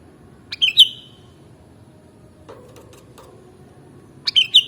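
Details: Sooty-headed bulbul song for mastering: a short, bubbly phrase of liquid whistled notes near 0.6 seconds, then a quiet pause, then a second phrase beginning near the end, over a faint low background hum.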